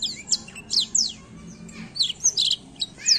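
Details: Black-throated canary in energetic rolling song used to stimulate young birds: clusters of high, steeply falling whistled notes broken by short gaps, with a soft low hum underneath.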